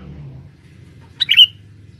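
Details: Male sooty-headed bulbul used as a forest lure utters a single loud, sharp chirp with a brief whistled finish, over quiet low background noise.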